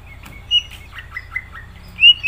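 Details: Greater green leafbird giving thin, high whistled notes, short slurs and a bright rising whistle to close, against a faint low hum.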